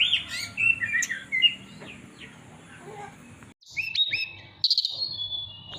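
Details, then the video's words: Mountain tailorbird in captivity at Purworejo, Central Java, singing a flute-like song to attract a female: varied sliding whistles, a pause, then sharp upswept notes and a long high steady whistle. "Tledekan Gunung Gacor Nyuling Panggil Betina"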